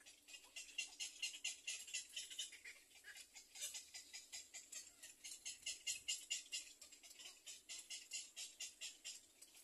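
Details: Little egret chicks in a nest waiting for food give a steady run of dry, clicking, high-pitched pulses, about two each second, rising and falling in loudness without pause.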